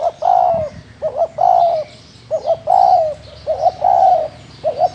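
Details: Local field spotted dove cooing steadily: four rapid phrases, each a quick two-note stutter then a longer falling coo, about one second apart, with faint higher chirps in the background.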